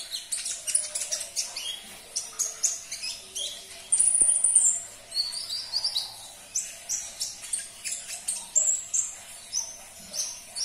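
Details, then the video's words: Sunbird song used to coax a caged bird: dense, lively twittering of high chirps and thin whistles, nearly continuous, with a louder busy burst midway. "Putarkan 1 menit saja video ini KONIN anda pasti langsung nyaut"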